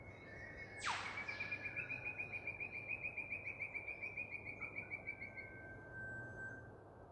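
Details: An Eastern whipbird in Queensland, Australia, gives a sharp whip-crack that sweeps steeply downward, followed by a fast, even series of high chipping notes for about five seconds over a faint background hiss.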